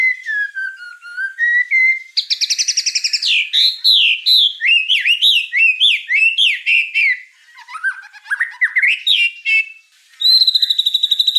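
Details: White-rumped shama in full, lively song: mellow low whistles give way to a fast stuttering trill and a long run of varied, warbled phrases that swoop up and down, ending in a high, rapidly pulsed note.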